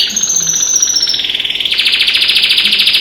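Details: A pet canary sings with other birds outside the window, holding one steady, fast-pulsed trill that slides slightly lower, then jumps to a brighter, higher rolling trill.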